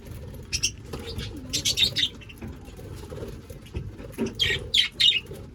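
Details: Budgerigars kept as 25 pairs in an aviary give bursts of sharp, high chirping chatter in short clusters, separated by gaps filled with low rumbling and tapping noise.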